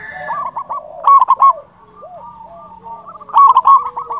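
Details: Strong-voiced local zebra dove, kept as a lure to trap and stimulate other doves, delivers two loud rattling coo phrases of quick stuttered notes. Softer cooing from other doves fills the gap between them.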